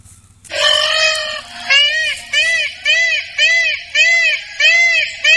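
An Indian peafowl opens with a long, loud, nasal wail, then gives a run of about six shorter, arched honks, each roughly two-thirds of a second apart.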